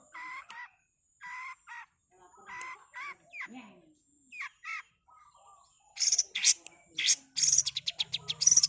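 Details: Long-tailed shrike singing a fast "super speed" song used as a training recording for songbirds: clipped, wavering double notes and slurred phrases, then a burst of sharp, high, rapid chattering notes with a low buzz near the end.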